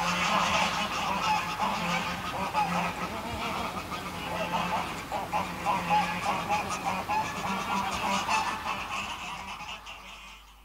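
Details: Greylag geese give loud, nasal honking calls: close flight calls from a small flock, then calls from a flock on the ground at medium distance, overlapping and repeated roughly every second, fading toward the end.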